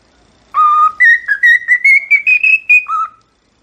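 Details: Cockatiel whistling a clear melody of about a dozen sustained notes that climb gradually in pitch, then drop back low on the last note.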